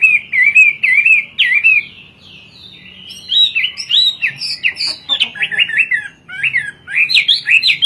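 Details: Hwamei singing in Indonesia, a bird native to China and kept for its sweet, varied song: loud looping whistles and rapid slurred notes, a brief lull midway, then bright twisting phrases resuming.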